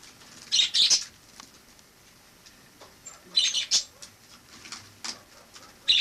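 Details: Indoor wild sparrow, resident in a home from autumn 2006 to summer 2007 after flying in from a balcony; bright, high chirps come in clusters of two or three, separated by quiet gaps of a few seconds.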